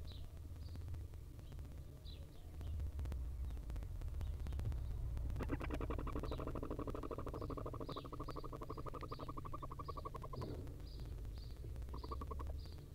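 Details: Tiny wild barn owl chicks being gently fed by their mother at the nest: rapid buzzy, rattling pulses in a long run of about four per second, with short high squeaky notes scattered throughout and low background rumble.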